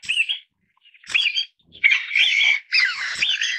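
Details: Taiwan bamboo partridge family, endemic to Taiwan, giving three or four loud rasping bursts separated by brief pauses, each harsh and squealing with wavering tones.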